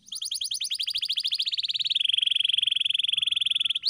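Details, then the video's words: Canary singing, used as a training song for pet canaries: a rapid pulsed trill that gradually drops in pitch and settles into a long steady rolling tour. "Masteran Burung Kenari _ CANARY SINGING__ الكناري"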